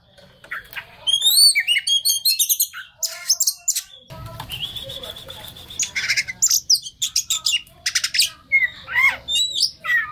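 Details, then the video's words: Oriental magpie-robin song meant to stir a stressed bird into singing: sharp chips and whistled slurs, then a sustained buzzy note over low rumbling background, followed by more rapid chipping phrases. "PANCINGAN TERAMPUH KACER STRES"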